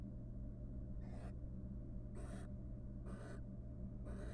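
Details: Wild barn owl pair, after rearing three chicks, showing courtship in a nest box; quick succession of four breathy, hissing screeches less than a second apart, low hum behind.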